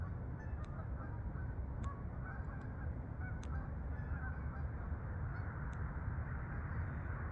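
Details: Geese passing overhead toward the fields, Farmington, Connecticut meadows; honks cluster in the first half then fade into steady deep rumbling noise, with a few sharp taps.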